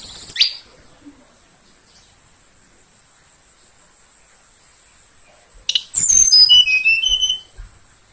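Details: Morning song of a young Tledekan Kalimantan, forest-caught and cared for about two weeks: a brief high chip, long quiet stretch, then a quick run of sharp whistles falling in pitch, with a constant high hum behind.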